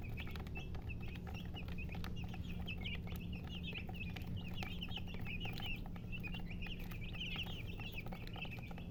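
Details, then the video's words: Young chickens chirp busily, several thin rising and falling peeps tumbling together in dense clusters with barely a pause, over a persistent low droning background. "silly chicken chirping sounds"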